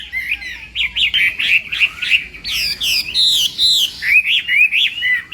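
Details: A Chinese hwamei in morning singing practice for contests gives a varied stream of loud whistled notes, some looping and some sharply rising, delivered in quick bursts.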